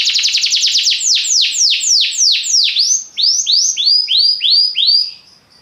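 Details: Belgian canary singing a loud, fast canary song: rapid trilled notes that slow into a series of clear downward-swooping whistles, roughly three per second, ending abruptly.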